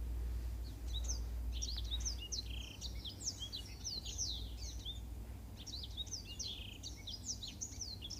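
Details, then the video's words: Training song of a black-throated canary for canaries to copy. A fast, rambling run of sharp, high, upswept and downswept notes is delivered almost without break for eight seconds, with a faint low drone behind. "Suara Masteran Burung Blackthroat Untuk Kenari"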